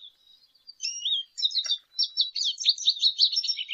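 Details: A lesser goldfinch starts with thin high whistles, then breaks into a fast jumbled twitter of chirps and buzzy trills that runs unbroken to the end.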